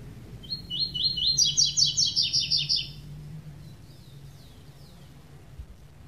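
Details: Tui-tui classic song, minus the third note, from a double-collared seedeater. Rising whistles, then a rapid sequence of bright, metallic notes for about a second and a half, followed by faint distant chirps and a low hum.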